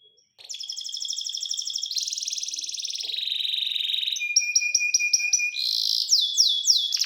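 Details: Canary delivering several song tours in turn: a fast bright trill, a lower buzzy roll, a string of clipped high notes over a steady tone, then quick downward sweeps.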